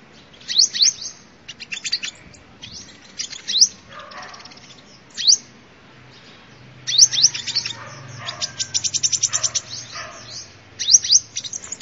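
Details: Sunbird song used as a lure: sharp, high, rising chips given singly or in short clusters, broken by pauses, with a longer buzzy trill in the middle, and a faint low hum in places.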